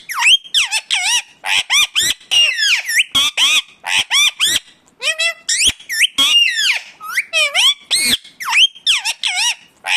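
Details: Natural sound of an Indian ringneck parakeet: dense, piercing squawks and chattering screeches with bending pitch, tumbling out in rapid clusters almost without a break for ten seconds.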